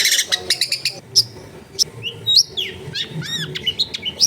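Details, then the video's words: Long-tailed shrike (cendet) recorded at home in a dense neighbourhood, delivering a varied song of rapid clicking chips followed by sharp whistled slurs, arched downward notes and thin high tones. "MASTERAN ANTI GAGAL SUARA JERNIH CENDET MACET BIAR CEPAT BUNYI"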